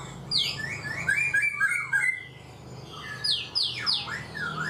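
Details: Black-throated laughingthrush, four months in a cage, gives bright descending whistles and quick slurred chirps in two lively bursts with a short lull between.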